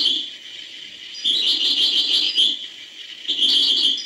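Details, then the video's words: Hbal-style song of a European goldfinch, bursts of dense, high, liquid twittering and chirps separated by a quieter pause, with a constant high background hiss. "chant chardonneret hbal"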